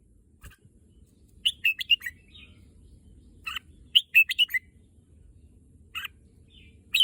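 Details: Caged red-whiskered bulbul, a Thai contest-bird kept at home and said to want to go to the contest field, sings short bursts of three or four bright, warbled, rising-and-falling notes separated by pauses of about two seconds.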